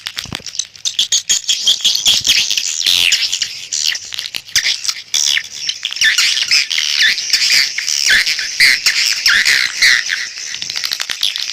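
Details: Swiftlet call sound for attracting the birds: continuous shrill twittering from many overlapping birds, buzzy and rasping, with sharper whistled chirps standing out near the end.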